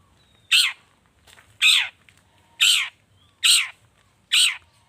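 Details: Long-tailed shrike, agitated, recorded as a lure to get other birds singing: five loud, harsh, rasping notes spaced about one second apart, with quiet gaps between them.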